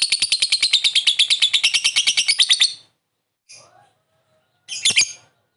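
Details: Lovebird calling with ngekek chatter, used to lure other lovebirds to respond quickly: a rapid run of about twenty harsh buzzy notes over nearly three seconds, then silence, a short faint note and one final harsh burst.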